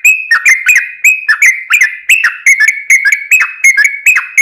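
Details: Trucukan, or yellow-vented bulbul, singing its long rapid 'ropel panjang' song as a lure: fast, even run of rich whistled notes that flick downward, around three per second, without pauses.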